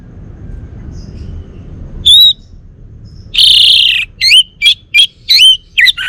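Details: Bali male orange-headed thrush singing: a single whistled note, then a loud harsh burst and a quick series of curved, sliding chirps in regular succession.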